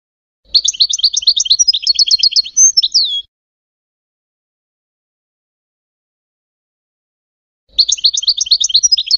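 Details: Goldfinch singing for hybrid chicks to learn from: a nearly three-second stream of fast, bright twitters ending in a falling buzzy note, long silence, then the rapid twittering starts again.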